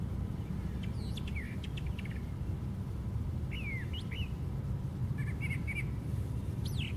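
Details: Brown thrasher singing from the very top of a white pine tree: varied phrases of sharp rising and falling whistled notes and quick slurred chips, with pauses between, over steady low rumbling background noise.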